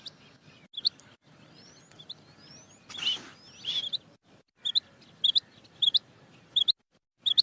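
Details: Female quail (batair) calling, with short, sharp, high chirped notes, often in close pairs, repeated at irregular intervals, separated by abrupt silent gaps and a brief patch of broad hissy noise near the middle.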